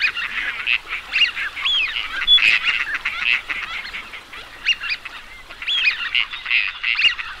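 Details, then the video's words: A flock of teal keeps up a busy chorus of high, short whistled and chirping notes, overlapping constantly with brief squeaky peeps throughout. "Teal duck Sound"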